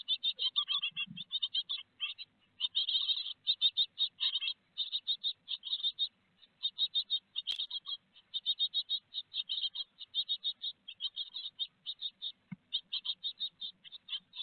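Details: Nest box great tits at Théding, France, 4 May 2021, where a large peanut is on the menu; long spell of fast, high, buzzy chattering notes in clustered runs, with a sharp click and faint knocks.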